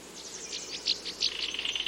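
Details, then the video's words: A kingfisher gives several shrill, high piping whistles, then a quicker, thinner trill of short notes, over a faint steady hiss. "Kingfisher Bird Call Sound"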